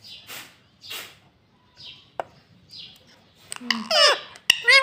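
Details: Pet talking parrot, kept indoors, that says "Mitthu Mitthu" and "Mummy": soft chirps for four seconds, then a burst of loud, harsh harmonic calls that sweep down at the end.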